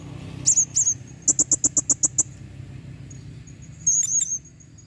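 A female blue-crowned hanging parrot gives very high, thin, sharp notes: two, then a rapid run of about eight, ending in a brief buzzy burst.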